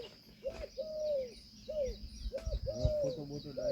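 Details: Peahen, an Indian peafowl, calling in a series of loud, arched honking notes, short and long mixed, repeated about every second, with rustling and a thump in the background and insects trilling high above.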